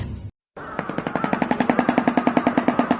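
A Shoebill clatters its bill in a fast, even, wooden rattle of about three or four knocks a second, like a machine gun.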